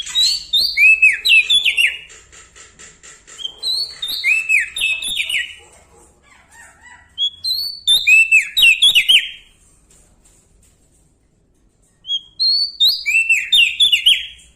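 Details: Bar-winged prinia from Lombok, described as singing actively and loudly while beside bigger birds. Three bursts of high, clear whistled notes stepping up and then sliding down into a tumbling, chirpy phrase, separated by pauses of a few seconds.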